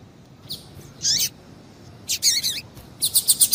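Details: Female double-collared seedeater call for exciting males: scattered high chirps, then a run of buzzy, falling notes, ending in a rapid series of about six bright ticks.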